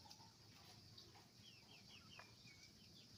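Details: Chickens on a farm with roosters and hens, heard as a run of short, high, downward-sliding chirps repeated in quick succession, over a constant low hum and broad hiss.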